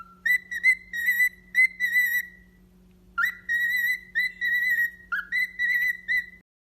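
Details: Pet parrot giving repeated whistled phrases of wavering tonal notes in short bursts, pausing briefly between groups, over a constant low electrical hum.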